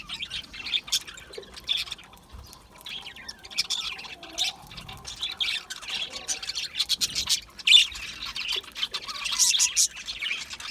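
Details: Aviary budgies, small colourful Australian parrots, chattering together: a continuous flock warble of scratchy high chirps and squawks, with sharper peaks around the middle and end, and a faint low hum underneath.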